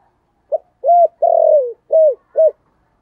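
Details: Spotted dove giving 'giọng thổ' style coos as a call to lure wild doves; a single phrase of five mellow low notes: a brief hoot, a rounded coo, a long falling coo, then two shorter coos, over silence.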